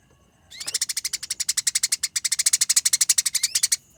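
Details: Fighting Eurasian tree sparrow giving one long, unbroken run of fast, buzzy, high chirps lasting over three seconds, a rolling, densely packed chatter in a clear voice that opens with a brief rising note.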